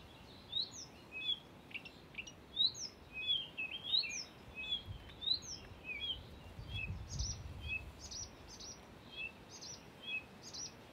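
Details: At Far Ings Nature Reserve in the UK on 11 June 2020, a Blyth's reed warbler sings a mimicking song. Quick high chirps and slurred whistles tumble in lively, irregular phrases, with a faint low rumble midway.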